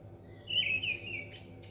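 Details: Mistle thrush in North Oxfordshire, May 2020, giving one brief fluty warbled phrase over a constant low background hum.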